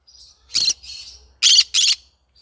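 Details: Yellow-sided green-cheeked conure singing: a loud rasping screech, then a softer drawn-out grating note, then a loud doubled harsh squawk, with a faint low hum underneath.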